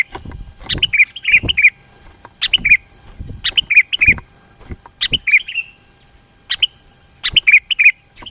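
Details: Sooty-headed bulbul in dense, vigorous lure song to attract rivals: repeated bubbly two- to four-note fluted phrases in quick succession, separated by brief pauses, with low knocking sounds in the background.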